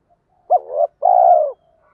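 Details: Spotted dove decoy cooing to stimulate other doves to call: a soft low note, a quick two-part coo, then one long, steady, slightly vibrating coo that falls at the end, in quiet surroundings.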